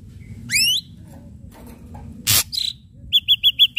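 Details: Ashy drongo singing keenly for a pancingan lure with sharp strikes: a rising whistled sweep, a harsh rasp and a twangy note, then a fast run of short clipped whistles.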